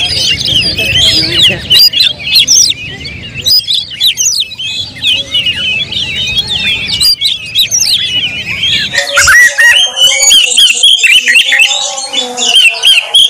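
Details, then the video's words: Oriental magpie-robin (kacer) lure song meant to draw out a bird's full repertoire: rapid, tangled high chirps and twisting whistles pouring out nonstop, turning after about nine seconds into louder varied notes over steady lower tones. "pancingan KACER paling ampuh bongkar materi"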